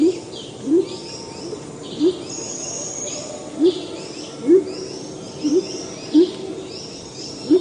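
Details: Salvadori's Pheasant, a quiet forest-floor forager, giving deep, short hooting contact notes that rise slightly, repeated about every second, over a steady hum of insects and distant forest birds.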